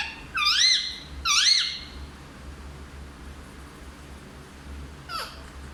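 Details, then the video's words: A pet parrot said to talk in Hindi gives two loud, harmonic, rising-and-falling phrases in quick succession, then a long quiet pause and a short, sharp final note, over a low steady hum. "सबसे अच्छा हिंदी बोलने वाला तोता ll Parrot Talking"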